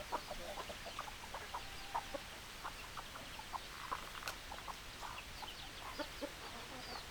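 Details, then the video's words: A chicken flock keeps up a dense stream of brief clucks and chuckles from many birds at once, with no pause across the stretch. "Chicken Sounds Noises Hens Clucking Roosters Crowing"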